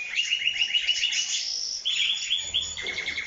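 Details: Strong canary song: fast, evenly repeated chip-like notes roll into a higher trill, then shift to a lower rattling series, all bright and high-pitched with no break.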